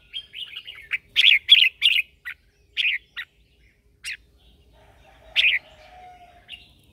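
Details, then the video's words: Red-whiskered bulbul lure bird singing during morning training to call other birds: loud bright warbled phrases around 2–4k, a burst of rapid notes then spaced single chirps, with a faint low whistle in the background. "Chào mào mồi hót gọi bổi"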